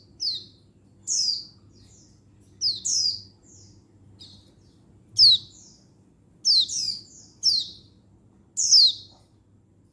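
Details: Female Oriental white-eye (pleci) calling males, 19/11/22: high, thin, falling chirps, some doubled and trailed by softer short notes, delivered in irregular clusters with quiet gaps, faint low hum behind.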